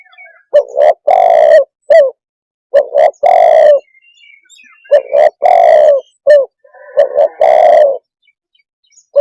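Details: Spotted dove calling steadily, several phrases in a row. Each phrase has a doubled coo, a long hoarse croo sliding down, and a brief closing coo. A faint chirp or two sounds between phrases.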